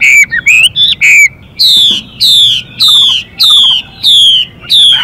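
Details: Caged Chinese hwamei, the male singing in a changing-voice style beside a hissing female that urges him on: short bouncing whistles, then a steady series of loud, falling whistled strokes about twice a second.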